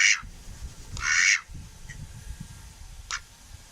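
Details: Pet male duck kept at home, calling or happy: two loud harsh broadband quacks near the start, then a short fainter quack about three seconds in, over low rumbling background noise.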